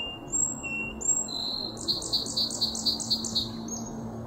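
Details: Song Sparrow song in a meadow on 18 March 2024: a few clear whistled opening notes, then a run of six rapid buzzy phrases and a brief closing trill, over a low steady hum.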